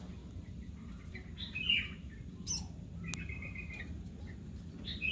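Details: Young Zitting cisticola giving a few short, thin, high chirps and one sustained flat note midway, spaced irregularly over a steady low rumbling background.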